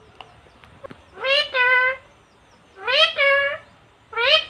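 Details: Indian pet parrot, female, imitating human words: repeated two-syllable phrases, a rising first part followed by a steady flat second part, about every one and a half seconds, loud and clear with a few soft clicks before.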